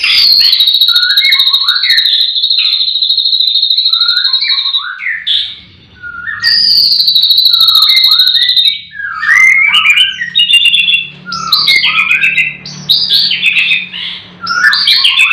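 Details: Morning song at a white-rumped shama breeding farm, all birds singing: long, sustained high trilled notes, then fast, varied whistled phrases in rapid succession.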